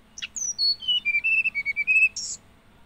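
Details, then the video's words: Hill blue flycatcher delivering a cascading song of sweet whistles descending in small steps, roughly a dozen notes in under two seconds, finished by a brief high buzzy note. "Hill Blue Flycatcher Bird Song"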